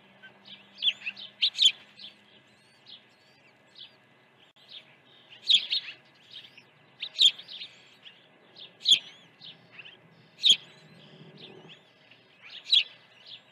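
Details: Osprey at a ranch nest, early feeding on 1 June 2019 morning; loud high chirps in bursts every one to two seconds, each burst a few quick piercing notes, with a low rumble near the end.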